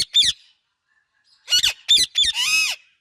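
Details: Indian ringneck parakeet chirping together with an Alexandrine parakeet: loud, harsh, squawky chirps in short bursts, one at the start, then a quick cluster of three with a longer raspy squawk at the end.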